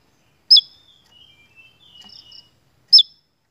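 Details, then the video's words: Actively singing Javan tesia used as a training lure: a single sharp, high chirp, then a quiet, wavering, lower warble lasting about a second and a half, then another sharp chirp. "PANCINGAN SEJALUR TESIA JAWA GACORR"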